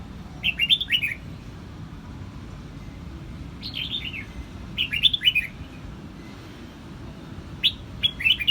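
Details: Red-whiskered bulbul from Quang Nam, Vietnam, singing: four short, bubbly, warbled phrases that tumble downward, spaced a second or two apart, over a low steady background rumble.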